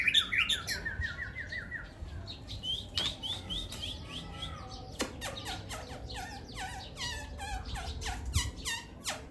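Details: Two Aceh white-rumped shamas matched in a singing contest: a quick descending run of whistled notes at the start, then dense overlapping chirps, sharp clicks and squeaky varied phrases continuing throughout against steady low background noise.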